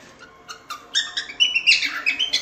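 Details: Cockatiels singing a lot, for teaching a cockatiel to sing: soft chirps build into dense, squeaky chattering and short whistled notes that overlap toward the end.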